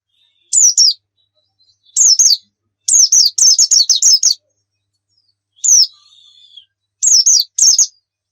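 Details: Pleci (white-eye) heard in a prompt recording for making birds sing: scattered pairs and short runs of sharp, high, falling chirps, plus one faint, steady, lower whistled tone.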